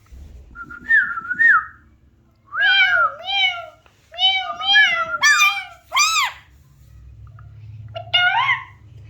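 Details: Alexandrine parakeet mimicking speech, giving a wavering whistled note, a series of bent, nasal meow-like syllables, two sharp high upswept calls, and a final short meow, with low background hum.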